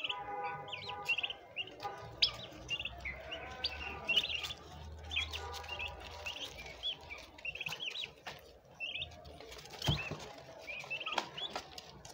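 Turkey poults keep up a busy chorus of thin, high peeps, many overlapping chirps each second, over a faint low hum and some rustling.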